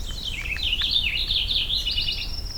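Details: On an overcast morning at an old hunt camp, a purple finch sings its full song from the top of a tall jack pine: a rich, rapid warble of varied tumbling notes running nearly three seconds over a low rumble.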